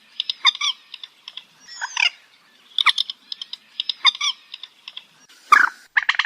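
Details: Common moorhen call file used for night bird trapping gives abrupt, harsh clucking notes in quick clusters, with a few louder, grating krek calls toward the end. No other sounds intrude.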